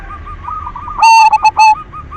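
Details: Zebra dove, silver variety, singing as a lure to prompt others: one loud, distorted phrase of three or four quick coo notes, set against a soft, continuous rolling trill of another dove.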